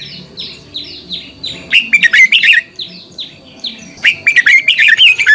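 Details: Decoy red-whiskered bulbul giving fighting song for training other bulbuls: bursts of rich, warbled, bubbling phrases, each about a second long, between which a run of thin descending whistled notes repeats roughly every third of a second.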